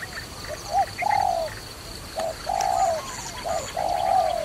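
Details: Trapping-site dove calling steadily. Paired phrases of a short clipped coo followed by a long, slightly descending coo repeat about every one and a half seconds. Faint high chirps come from other birds.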